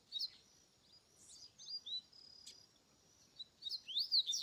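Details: Double-collared seedeater singing in the wild: high, thin whistled notes and quick sweeping phrases, with a brighter, louder burst of rapid slurred notes near the end; quiet natural background.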